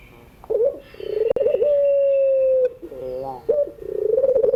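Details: Puter dove cooing in the afternoon, intended as a tutor for learning birds: a throbbing, rippling start rises into a level, sustained low tone, followed by a falling warble and another rolling phrase.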